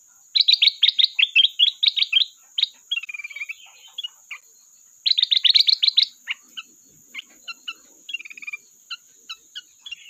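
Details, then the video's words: Sooty-headed bulbul singing actively, said to be calling a rival: fast bursts of clipped high notes repeated in quick series, then varied chirps and short whistles spaced apart, over a steady faint high electronic whine. "Burung Kutilang Emas Gacor isian pandai memanggil lawan"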